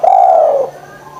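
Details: Spotted dove, a lively calling bird used as a lure to prompt lazy doves to call, giving one low, smooth coo note that holds steady then sags slightly, lasting about two-thirds of a second, followed by quiet background.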